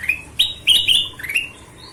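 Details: Rapid golden-vented bulbul phrase of four or five bright whistled notes, each sliding upward, loud and closely spaced, ending with a softer rising note; background otherwise quiet.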